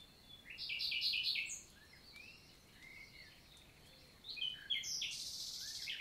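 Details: Morning song of a common nightingale, recorded 11 June 2023 in countryside woods of the Célé valley, Lot, France; a dense burst of high chattering notes, a lull with soft distant chirps, then another vigorous repeated-note phrase.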